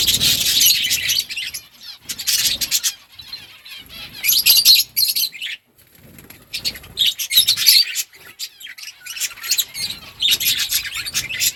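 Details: Budgerigars chirping and chattering in a colony, loud bursts of high scratchy warbling alternating with quiet gaps, with wingbeat flutters among the calls.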